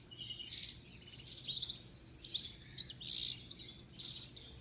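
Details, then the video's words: A European goldfinch sings a fast, tinkling jumble of high twittering notes and liquid trills, with a faint low rumble beneath. "European goldfinch singing"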